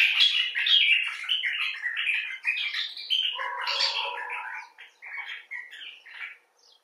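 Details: Common bulbul (Pycnonotus barbatus) talking in a chattering, warbled series that starts loud and gradually fades, notes grouped in short phrases; one of several rescued or wild individuals.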